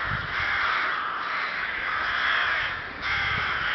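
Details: Rooks calling on 30 May 2011 at Ptačí ostrovy in Chrudim, Pardubice Region, Czech Republic; rough, drawn-out caws merge into one unbroken, slowly pulsing chorus.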